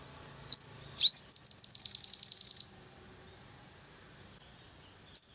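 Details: Long-tailed shrike, recording used to provoke birds into singing: a rising chirp, then a rapid series of high buzzy notes for about a second and a half, silence, and a final sharp chirp.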